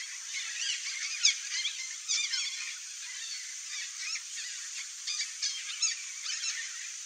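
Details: Red-bellied macaw couple at the nest, giving rapid, raspy chattering calls in short overlapping bursts, some sharper shrieks standing out.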